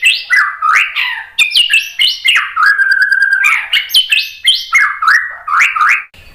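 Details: White-rumped shama song: loud, fast series of bright slurred whistles jumping up and down in pitch, a brief pulsed buzzy note in the middle, and continuous varied phrasing throughout.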